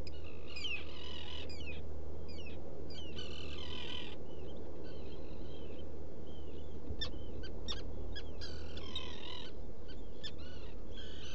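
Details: Black guillemot inside a nesting rock burrow at Seal Island NWR, Maine, early morning of 14 June 2018, burrow cam: bursts of shrill, wavering harmonic squeals and short bent notes, irregular, over constant low machine-like hum.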